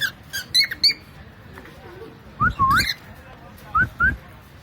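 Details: Pet cockatiel making funny sounds: short sharp chirps at first, then clear whistled notes sliding upward, given singly and in pairs, with a person's voice heard in between.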